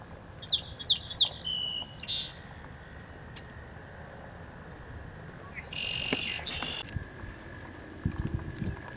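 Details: Canada goose hatchlings just minutes old, sheltered by their mother at Montezuma, New York, on 3 May 2020, give high, thin peeping notes in short bursts, with a longer squeaky note near the end, over steady low wind rumble.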